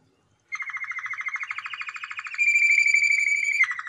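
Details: Male canary singing. After half a second of silence comes a fast, even roll of repeated notes that rises slightly, then a bright, steady whistled tone held for over a second, ending in a brief lower roll.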